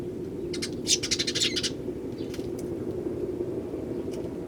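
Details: Wild Eurasian tree sparrows in early January, many now visiting, with one starling among them. A short, loud flurry of rapid chirps lasting about a second, then a few faint calls over a steady low hum.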